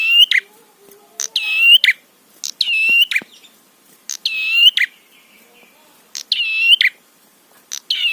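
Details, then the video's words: Prinia in a trapi-style tutor recording used to stir other prinias into calling: nasal, buzzy phrases with sharp clicks at both ends, six phrases spaced about 1.3 seconds apart, with faint thin notes between. "Masteran Suara Trapi Prenjak PANCINGAN EMOSI BIKIN BUNYI"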